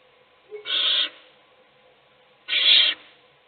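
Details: Owl at a nest box, an adult feeding one chick while the other chicks sleep; two harsh, hissing screeches about two seconds apart, each roughly half a second long.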